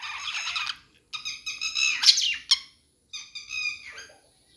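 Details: Budgerigar chirping in a pet store: bursts of harsh, buzzy chatter with stacked harmonics, about a second each and separated by brief silences, ending in a softer warble.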